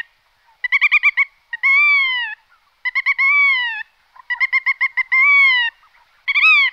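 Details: Black-tailed godwit repeating a phrase: a fast stutter of four or five clipped nasal notes, then a longer drawn-out arched note. The phrase comes about every two seconds, loud and clear.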